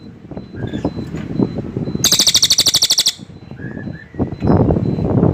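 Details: Cililin bird giving a loud, rapid burst of about a dozen sharp, high pulsed notes lasting roughly a second, between softer scattered chirps and low background rustling and murmuring.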